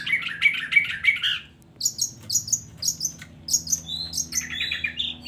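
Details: Long-tailed shrike singing, played to provoke idle shrikes into song: lower repeated chirps first, then very high piercing whistles mixed with buzzy chattering phrases in varied sequence.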